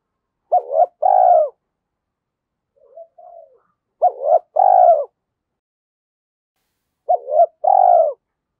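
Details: Spotted dove used as a decoy, excited to coo fast in the giọng thổ style. A clipped double note is followed by a drawn-out coo, three phrases about three seconds apart, with a faint soft murmur between them.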